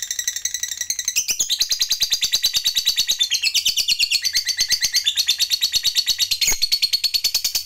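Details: Lovebird of the fighter type giving its long 'ngekek panjang' trill, used as a lure to fire up other lovebirds; a shrill, continuous chattering trill pulsing about three times a second, with brief pitch shifts throughout.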